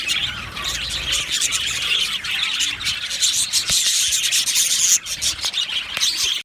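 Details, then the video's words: Budgerigar flock in an aviary, described as happy, chirping: a dense, continuous wash of high, overlapping chirps and chatter with no pauses, scattered sharp clicks and ticks throughout. "Happy Budgies chirping sounds"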